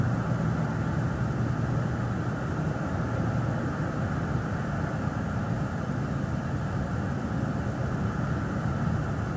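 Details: A loud, even roar of broadband noise, like a passing vehicle or aircraft, fills the whole stretch with no animal voice.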